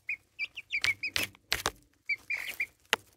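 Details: Young chicks aged four and a half weeks peep near a phone in short bright chirps, some slightly rising, interrupted by loud broadband scuffing and tapping noises.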